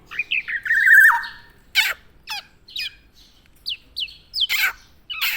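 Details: A tame Javan black-naped oriole opens with a long whistled phrase that drops at the end, followed by scattered harsh squawks and short chirps.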